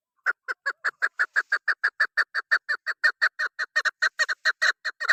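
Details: A female chukar used as a hunting caller gives a fast series of harsh, clucking notes, about three per second, steady in pitch and growing slightly louder; nothing else is heard.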